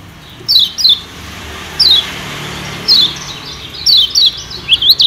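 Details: Kecial kuning Lombok, a white-eye, recorded as a lure for wild birds: sharp high downslurred tseep notes spaced roughly a second apart, some doubled, finishing with quicker upward chirps.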